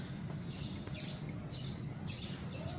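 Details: Sun conure baby bird producing a run of rasping, shrill squawk-like chirps, roughly two per second, loudest near the middle, over faint low hum.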